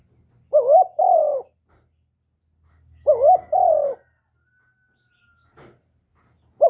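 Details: Spotted dove, a young male, gives loud paired coos, a quick wavering note then a fuller mellow one, repeated about every two and a half seconds, with a faint low hum and a click between phrases.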